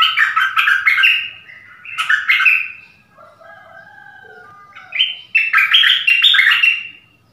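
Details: A dok taeng bird used as a decoy in the forest calls for a mate, 13 January 2021; lively clusters of quick chirps, a softer middle passage of lower whistled notes, then another loud chirping run.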